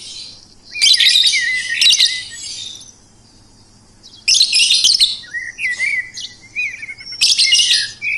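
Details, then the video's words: Bird singing in dense, scratchy high-pitched bursts with thin whistled slurs woven between them, separated by a quiet pause of about a second; a faint low hum lies underneath. "Suara Burung Merdu"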